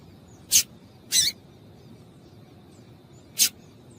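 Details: Female double-collared seedeater calls, used to stir males into singing. Three short, sharp, high chips: two close together near the start, then one more after a two-second pause. The background is quiet.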